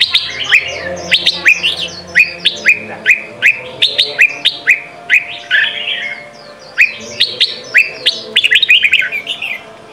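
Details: Red-whiskered bulbul singing in the Sông Kôn style, a daily voice-training song for young birds: dense run of short, bright whistled notes sweeping up and down, repeated almost without pause, over a faint low hum.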